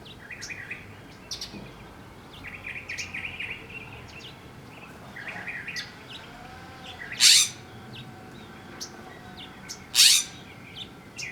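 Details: A Western Scrub Jay in wind near a feeding tray gives two loud, harsh, raspy calls about three seconds apart, over soft chirping from small birds (house finches return to the tray) and a low background hiss.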